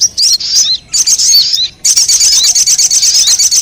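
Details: Crimson sunbird (sogon) lure audio to attract wild birds: two short bursts of high twitters, a pause, then a fast, evenly pulsed buzzy trill to the end.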